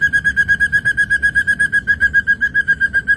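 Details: Ashy drongo on a training recording for songbirds: a steady run of clear, mid-pitched whistled notes repeated about four times per second, even and unbroken throughout, with a low background hum.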